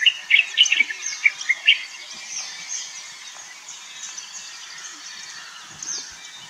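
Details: White-browed bulbul, a bird endemic to India and Sri Lanka, giving a burst of loud, sharp chirping notes in the first two seconds, then quieter scattered high notes over a steady background hiss.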